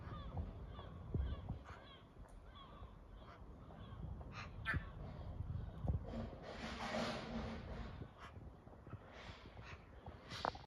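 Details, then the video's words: Eurasian magpies in a chestnut tree giving harsh, rasping chatter in broadband bursts that cluster midway, with scattered sharper notes over a low background rumble. "Magpies making cool sounds in the Chestnut tree."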